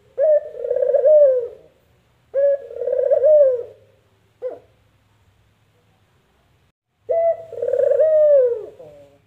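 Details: Spotted dove cooing: two long throaty, slightly tremulous coos in quick succession, a brief clipped note, a pause of over two seconds, then another drawn-out coo dropping at its close.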